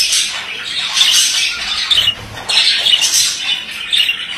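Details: Rapid rasping chatter from a male budgerigar, squawky notes and thin clicks in two main bursts with a short lull between them.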